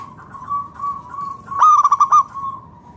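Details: Zebra dove of local stock singing to prompt other doves to answer: faint steady cooing, then one loud burst of five or six quick staccato coos.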